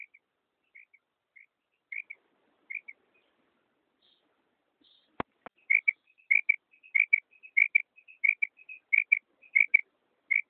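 A female common quail gives soft, high, paired 'quip-ip' notes, sparse at first, then repeated rapidly in clusters. One sharp click sounds midway.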